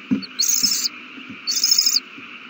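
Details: Owl chicks eating well on March 27, 2020. Two long, rasping screeches about a second apart, with soft thumps and rustling underneath.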